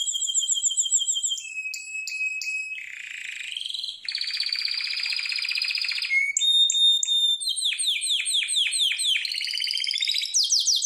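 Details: Training song of a Harz Roller canary: a varied sequence of held whistles, clicking pulses, a long dense buzzy roll, sharp repeated notes and fast descending slurred trills.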